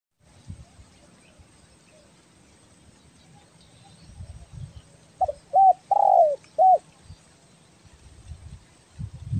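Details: Spotted dove of the belah dada type, a call used for luring birds: one short cooing phrase of four hollow notes midway, with rustling and soft knocks around it.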